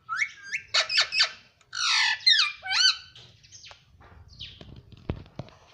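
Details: Pet parrot said to talk in Hindi and say "mummy", here giving a rapid string of harsh harmonic squawks and sweeping calls in the first three seconds, then quieter clicks and taps.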